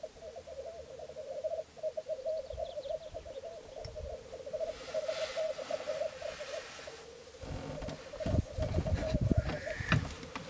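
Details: Black grouse lek at Florarna mire, about 150 km north of Stockholm, Sweden, in mid April 2013, recorded from a hide as birds fight: a steady, dove-like bubbling coo broken by harsh hissing sneezes, over wind rumble and handling noise.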